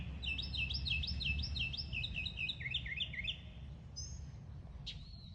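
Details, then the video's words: A mockingbird sings a fast run of repeated whistled phrases, about ten quick notes sliding downward, then brief varied chips, over a low background rumble. "Mimicking bird | Mocking bird | Beautiful sound"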